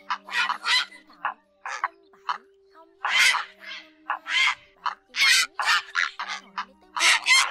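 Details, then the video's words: Grey herons calling to the flock, a sound used to trap migrating birds with nets at night in August 2024. Dense harsh squawks and croaking notes tumble irregularly, several overlapping, over a low continuous hum. "Tiếng Diệc Gọi Bầy ÉT ỌC ỌC"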